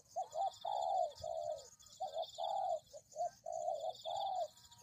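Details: Spotted dove cooing, used as a lure to trap doves: soft, hoarse low phrases of two or three notes, repeated in quick succession, over a faint high-pitched insect-like hiss.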